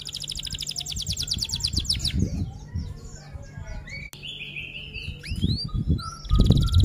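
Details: F1 canary in full 'rol tembak' rolling song: a fast, high, even trill for two seconds, then scattered chips, a long level whistle and quick upslurred notes, ending in another rapid trill. Low background hum throughout.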